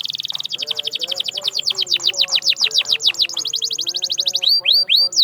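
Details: Canary song used to bring silent canaries back into song: fast high trill moving into long rolls of down-sweeping whistled notes, closing with a few slow, wide falling slurs.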